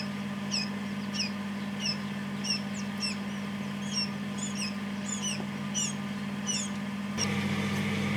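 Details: Freshly hatched quail chicks, the first three, peep in a homemade incubator made from a fridge freezer; high falling cheeps repeat about every half second over a droning hum, ending with a louder mechanical rumble.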